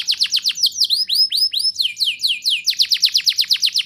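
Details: Singing canary used to encourage young canaries to sing, giving a lively sequence of loud down-slurred whistled notes, several per second, in shifting phrases.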